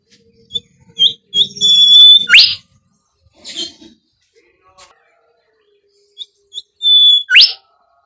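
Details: Bimoli whistle used as a lure for training birds: a short clear whistle, then a steady high note ending in a sharp rising upsweep, the phrase repeated about five seconds later, with soft faint chirps between.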